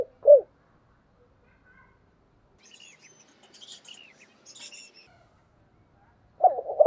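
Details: Decoy spotted dove cooing: a low, soft coo opens the recording and another rolling coo returns near the end, while other small birds twitter and chirp at a much higher pitch in the quiet gap between.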